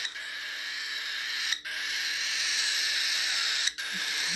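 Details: Young hand-tame cockatiel (Nymphicus hollandicus) chicks in a large cage, waiting for food, give a steady, raspy hissing chatter, broken by two short pauses, over a faint hum.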